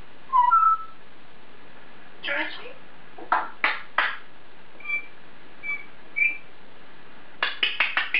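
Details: African grey parrot alone in its cage chattering to itself: scattered short whistled notes and brief clicky, speech-like bursts, ending in a quick run of sharp clicks indoors.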